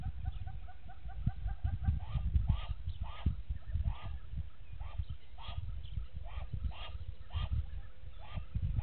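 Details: Egyptian goose pair at Gowrie dam waterhole, Djuma Game Reserve, Sabi Sand, South Africa, 04:57 on 19 Nov 2018, give a run of harsh, nasal honks, several each second and rising in excitement, over steady low wind rumble and a faint held tone.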